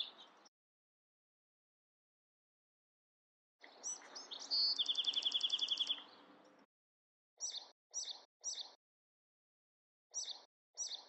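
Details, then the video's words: A Bewick's wren sings a buzzy opening and a fast, even trill of high notes, then several short, sharp chirps in quick clusters, over a faint hiss. "Beautiful Bewick's Wren Songs |Calling | Singing!"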